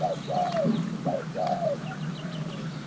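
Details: Young male Thai hybrid spotted dove, stimulated while being paired, shows its calling style: deep, arched coos in close pairs, four strong notes within two seconds, then a fainter trailing coo over a low background hum.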